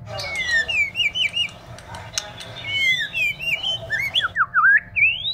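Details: Male and female white-rumped shama: dense, overlapping high whistles and sweeping slurs over steady background noise, with clicks and chirps mixed in. A clearer series of looping whistled notes closes the passage.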